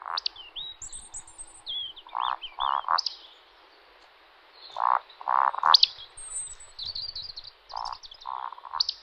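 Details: A male Eurasian woodcock roding, its courtship flight at dusk in spring, gives low, froggy grunting croaks in runs of two or three, each followed by thin sharp squeaks, while other songbirds sing high in the background.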